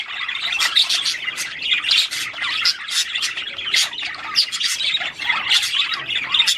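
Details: Australian budgerigar song meant to stimulate mating, a steady busy flock chatter mixing harsh squawks, sharp clicks and trilled chirps, loud throughout with no gaps.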